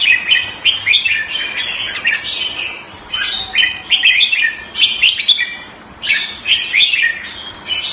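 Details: Singapore cage-kept red-whiskered bulbul, raised Thai style, delivers a long run of lively warbled whistles in clustered phrases, several per second, with brief pauses and crisp clicking sounds.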